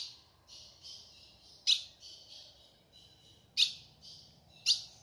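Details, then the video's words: Calling female ultramarine grosbeak, recorded in the caatinga of the sertão, urging the male to start singing: three piercing chip notes spaced one to two seconds apart against a continuous high buzz. "fêmea de azulão chamando pra esquentar e abrir canto do azulão"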